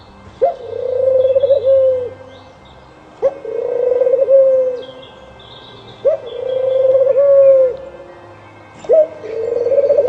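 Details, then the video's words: Dove cooing: four low, mellow phrases, each a sharp onset followed by a drawn-out, slightly wavering coo, repeated about every three seconds, with faint high chirps from other birds in the background. "Dove Calls and Sounds l Dove Bird l ঘুঘু পাখির ডাক l ঘুঘুর ডাক"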